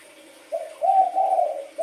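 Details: Spotted dove in wild colouring giving a soft lead-in note followed by a longer, drawn-out husky coo that wavers slightly, then the start of another.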